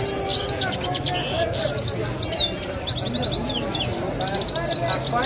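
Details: A European goldfinch in Kabul, Afghanistan sings rapid, tinkling twitters and bright high trills in quick bursts, over steady low background noise with some voices.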